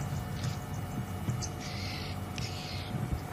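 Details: Red-billed oxpecker, unseen, calling from the African bush on a warm late-May afternoon safari drive: two harsh, hissing buzzes, each about half a second long, over the low rumble of an idling vehicle.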